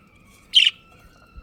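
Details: A single brief, scratchy chirp from a breeding pair of pet budgerigars, with a low steady hum before and after.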